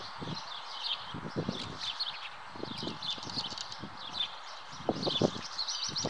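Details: At a nest, common house martins (Delichon urbicum) twitter in high, chirping bursts while repeated dull thumps and rustling knocks sound underneath.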